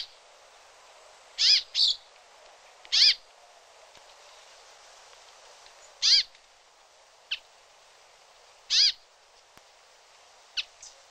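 A brambling gives harsh, nasal, wheezy calls, about eight at irregular intervals of a few seconds, over a faint steady hiss.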